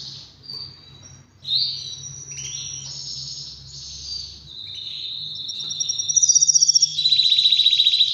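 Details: Two-year-old male Spanish Timbrado canary, half frill, ready to breed, singing: varied whistled phrases and sliding notes that build into fast, even metallic trills near the end, over a low steady hum.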